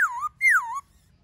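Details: Laughingthrush singing in the wild-forest style (giọng rừng), one of many voices, played to stimulate caged birds: two loud clear whistled phrases, each sliding downward then wavering, separated by a short gap, with quiet background.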